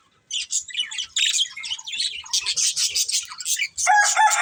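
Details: Budgerigar breeding pair chirping in a rapid, scratchy warble of high twitters and chirps, with a harsher, lower squawking note at the end.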